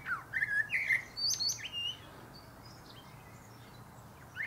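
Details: Common blackbird (Turdus merula) singing from a pear tree top. Two rich fluty whistled notes give way to a squeaky high flourish, then quiet with only a faint closing note.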